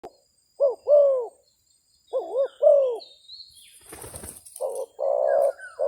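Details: Spotted dove decoy calling against a wild dove during trapping: two pairs of arched low coos, a burst of wing flapping, then blocky coos, with high thin background tones.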